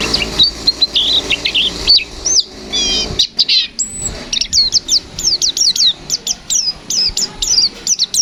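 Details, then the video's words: Energetic white-eye song in the gacor fighter manner: varied high warbled phrases and brief trills giving way to a long string of sharp, evenly spaced downslurred whistles, delivered loud and fast. "Suara burung pleci Gacor fighter Ngalas nembak, Sobek sobek"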